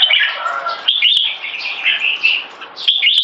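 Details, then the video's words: Two caged competition red-whiskered bulbuls, one in molt, trade jumbled warbling phrases with some lower fuller notes early on, followed by brighter quick whistled fragments and occasional sharp clicks. "JAMBUL - HIGH PERFORMANCE COMPETITION JAMBULS"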